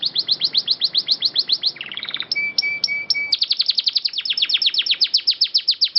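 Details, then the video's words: Master canary song with a long clear roll for training birds: quick regular downslurred notes, a short buzzy trill, paired high piping whistles, then a renewed rapid trill. "MASTERAN BURUNG KENARI GACOR NGEROLL PANJANG SUARA JERNIH"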